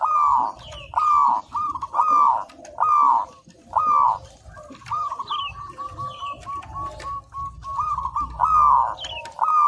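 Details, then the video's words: Zebra dove of local stock in full song as a training master: repeated cooing phrases in a steady rhythm, broken midway by a fast string of short purring notes, with soft chirps of another bird in the background. "Perkutut Lokal Gacor, Masteran Anti Gagal"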